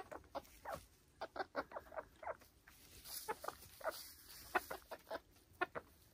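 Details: Silkie chickens on a small Vermont hill homestead, heard as a run of short soft clucks, a loose irregular series of brief notes through the whole stretch.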